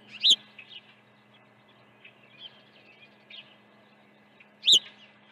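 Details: During an early feeding at a Dunrovin Ranch osprey nest, 1 June 2019, two loud, piercing whistled chirps open and close the clip, with soft scattered chirping and a low steady hum between them.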